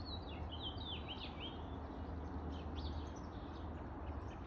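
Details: American robin singing at 7:26 am on 16 July 2022 in a back alley in northwest Calgary, Alberta: a run of clear, slurred whistled phrases rising and falling, fading after the first seconds, over a steady low hum.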